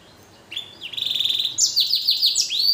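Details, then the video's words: Caged hybrid of blackthroat and canary singing: a sustained high buzzy tone breaking into a quick rattling trill of repeated notes, ending in a rising whistled sweep. "Blacken Gacor Warna Unik Sekali | Blackthrout x Kenari"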